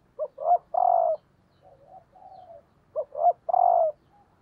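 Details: Calling female spotted dove, kept as a decoy bird to stimulate males, gives a husky three-part coo, two brief notes leading into a long note, repeated after a softer, quieter coo sequence.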